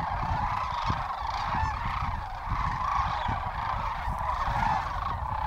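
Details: Sandhill cranes, about 750 to a thousand birds, flying in to land near lunchtime after morning feeding at Willcox, Arizona, late winter; many rolling, bugling calls overlap continuously, some individual notes standing out, over light wind.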